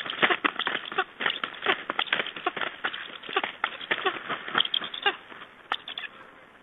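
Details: Black stork at feeding time in Estonia on 24 August 2011, during the breeding season, giving a dense, hurried string of harsh, wheezy rasping notes, several each second, overlapping in a steady chatter.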